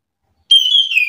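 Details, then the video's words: Chestnut-capped thrush answering another bird's song with a short, pure whistle that holds level and then dips slightly lower. "Anis kembang mu langsung terpancing emosi ikut bunyi sahut sahutan"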